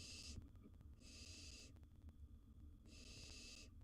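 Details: Owlet barn owl, wild, at its nest box with a gerbil, producing three long rasping hiss-like screeches, each under a second, over a low steady background rumble.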